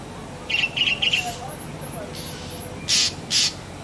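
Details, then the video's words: Black drongo calling: three short, harsh chattering notes in quick succession, then softer high buzzy notes and two loud, dense rasping bursts near the end, over a quiet background. "Black Drongo Calling"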